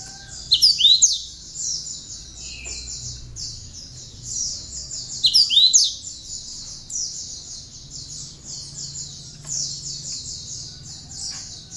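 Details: Chattering, tame cinereous tit whose song carries bar-winged prinia imitations, used as a lure and master for other songbirds; two short clusters of piercing whistles roughly five seconds apart over steady shrill buzzing.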